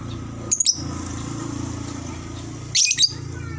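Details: Two brief, high, clipped lovebird chirp bursts, about two seconds apart, meant to spur a fast chattering response, over a loud low droning hum.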